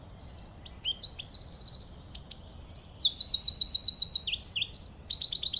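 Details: A Eurasian wren (Troglodytes troglodytes) sings in spring in Belarus, perched amid blooming flora: a loud, rapid, high-pitched song packed with fast trills and sharp notes, pouring out continuously for several seconds.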